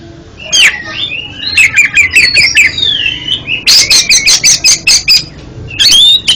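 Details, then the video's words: Oriental magpie-robin song as therapy for a halting kacer: sweet slurred whistles and chirps, then a loud rhythmic series of about a dozen harsh chattering notes, closing with a bright ringing whistle. "MANTAB BUAT TERAPI KACER ANDA YANG GAGAP BUNYI JADI JOSS KICAUANNYA"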